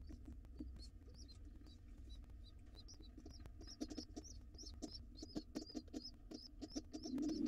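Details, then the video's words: Wild pigeon nestlings in a camera-monitored nest box, begging to be fed fast as their father comes home. High, thin squeaks repeat rapidly and build in density toward the end, over a steady low rumble. "Pigeon nestlings are hungry!!!!! Dad comes home and the babies want to be fed fast."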